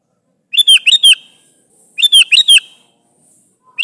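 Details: Sooty-headed bulbul calling its companions, a recording meant for luring: two bursts of three or four bubbly, chirping notes around 0.5 s and 2 s, each burst quick and bright, clean background.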